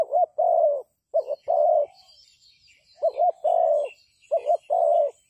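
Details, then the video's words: Decoy spotted dove used for trapping, cooing in repeated phrases: a brief doubled note leading into a long, soft, even coo, with faint twittering of small birds in the background. "The Sound Of Dove is very good Trap,Bẫy cu gáy bằng mồi trồn"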